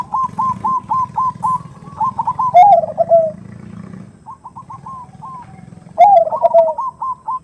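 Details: Zebra dove (perkutut) female calling a male with the 'nutut' sound: rapid series of short, even coo notes, broken by two louder rolling, descending coo phrases, over a steady low hum.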